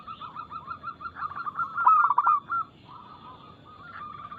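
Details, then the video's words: A local zebra dove gives its rapid, loud, clear song, used to coax other doves into singing. A fast run of short coos builds into a louder burbling trill, then softer rolling notes follow. "PERKUTUT LOKAL GACOR Nada cepat Suara keras kristal Bikin cepat bunyi ( Pancingan Burung Anggungan)"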